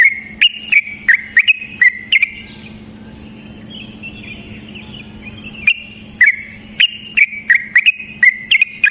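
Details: Sooty-headed bulbul kept in a cage, lure song to make other bulbuls sing: bubbly chattering phrases, a three-second lull with faint distant warbling, then the rapid chatter resumes.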